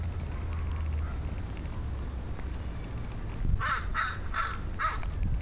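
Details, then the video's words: Crows calling outdoors, heard by someone who went to investigate their warbles and strange sounds: a quiet stretch with low rumble, then four harsh, evenly spaced caws near the end. "Crows sure make strange sounds"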